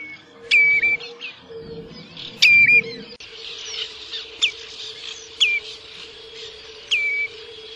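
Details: Common redshank calling: loud, clear whistled notes that drop sharply in pitch and end in a short level tail, given every two seconds or so. A steady low hum runs underneath.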